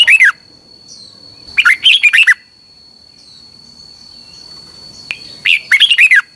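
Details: Repeated Red-whiskered bulbul song from Thailand, played to teach caged birds: short, jaunty phrases of quick warbled whistles about every two seconds, over a thin constant high tone.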